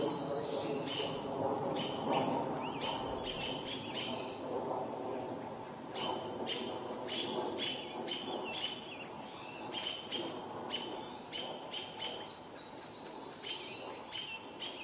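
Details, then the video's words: Robins mobbing a barred owl mother in Vancouver, her owlet watching; fast, dense series of sharp high calls from several birds, pausing briefly midway, over a loud low-pitched background rumble. "Baby owl watching mum being mobbed by robins"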